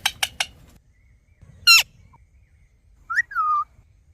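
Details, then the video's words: Talking parrot making natural sounds: three quick raspy chirps, then a sharp harsh squawk, and a clear whistled note that rises and then slides down into a steady tone. The background is otherwise quiet. "Talking Parrot Making Natural Sounds"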